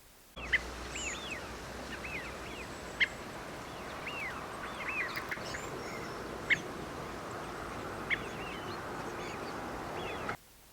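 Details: Redwing, a winter visitor in the UK, giving thin, high, repetitive seep calls spaced a few seconds apart, with other chattering and whistling birds behind and a steady background hiss.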